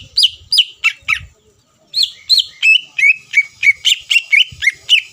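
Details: Greater green leafbird singing to provoke rivals into answering: several spaced high slurred whistles, a short silence, then a steady run of clear whistled notes about three per second.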